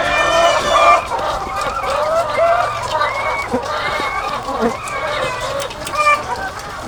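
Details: Egg-laying hens, thousands strong on a farm, giving harmonic, drawn-out squawks and short rising cackles that stand out repeatedly above a continuous background of clucking.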